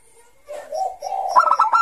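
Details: Brief ngayer-style phrase from a Bangkok zebra dove used to lure young doves: a low purring coo rises into a short run of quick pulsed notes.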